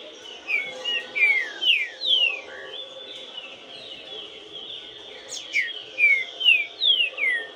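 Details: A green-winged saltator sings two loud phrases of bright, downward-slurred whistles, one near the start and one near the end, separated by a quieter stretch with a steady high hiss and faint chirps.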